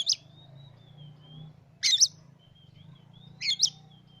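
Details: Captive Oriental magpie-robin alternating short harsh rasping bursts, roughly every one and a half seconds, with long thin level whistles, over a steady low mechanical hum.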